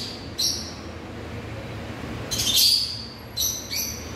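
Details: A few shrill, squeaky chirps from African lovebirds: one brief note, a pause, then a louder burst of harsh high squawks followed by two short chirps, with a soft low hum behind.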